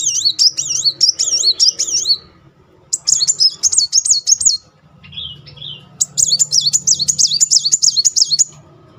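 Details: Sunbird (kolibri muncang) in rolling, energetic song used as a lure for a silent bird; fast trilled warbling of high zigzagging notes in long bursts, brief softer notes between phrases, low hum behind.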